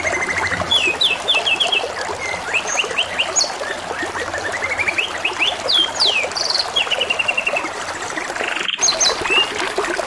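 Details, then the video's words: Singing canary with constant trickling water behind it: quick bursts of high chirps, rapid rising note series, sharp upswept whistles and short buzzy trills follow one another without pause across ten seconds. "TERAPI SUARA KENARI DAN SUARA GEMERICIK AIR | CANARY SINGING"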